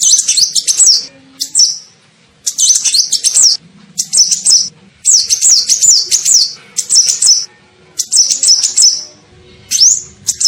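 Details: Lure call of an olive-backed sunbird, known locally as kolibri ninja, played to attract birds: short, shrill twittering phrases of quick rising and falling notes, repeated with brief gaps, one ending in a single upswept whistle.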